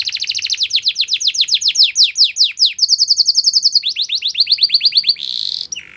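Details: Canary singing a training song: fast descending chip notes rolling into a quick trill, a steady high buzzy tour, another rapid descending series, then a short loud buzz that drops away.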